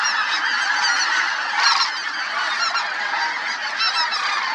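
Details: Snow Geese flying over Merced National Wildlife Refuge on 21/02/21 alongside Sandhill Cranes. A dense, continuous chorus of many overlapping nasal honks and yelps, with a louder burst near the middle.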